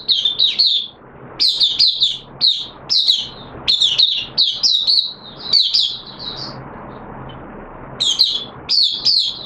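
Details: Hobby-kept oriental white-eye in a cage during a 'buka sing' session in wet weather, giving high, sweet, rapid twittering phrases in short bursts separated by brief pauses, over a soft background hiss.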